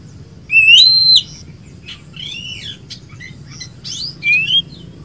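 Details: Kacer (Oriental magpie-robin), a kept songbird of poci or local type, sings a clear upslurred whistle into a high held note, followed by softer scratchy phrases and a final rising whistle.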